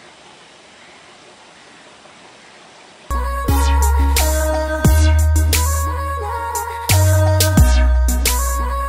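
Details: About three seconds of quiet hiss, then loud electronic music with a heavy bass line and sharp percussive hits; no animal voice.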